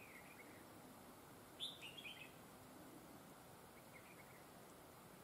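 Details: Trapping decoy red-whiskered bulbul with a highly praised double linked song; one short, loud run of sharp warbled whistles mid-clip, with soft quieter notes before and after against a low, constant noisy background.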